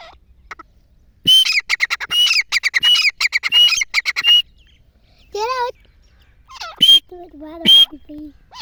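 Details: Grey francolin giving what is called a hunting call: a run of loud, shrill, harsh notes repeated rapidly for about three seconds, then a pause and a few scattered squeaky notes with faint lower tonal sounds.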